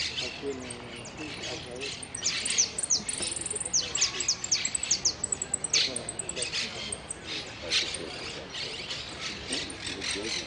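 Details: Hooded siskin at a song competition in Quilmes, 2 December 2017, third place; a long, rambling run of high twitters, quick trills and a buzzy drawn-out note. Faint voices murmur underneath.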